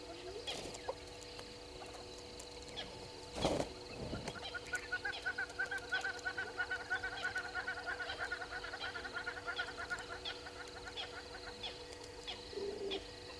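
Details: Red-billed hornbill at Gowrie dam waterhole, Djuma Game Reserve, Sabi Sand Wildtuin, South Africa, caught by a live waterhole camera at 05:53 on 04/03/2022. A long run of rapid clucking notes, about three per second, swells then fades, over a steady low hum.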